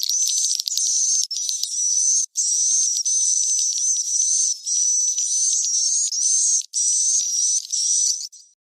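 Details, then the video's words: Roosting call of swiftlets recorded in a cave and played for swiftlet farming: dense, high-pitched chattering twitters in long bursts, separated by brief silent breaks every second or so. "Suara Tidur 77 JT Jernih Terbaru Lintas Goa Asli"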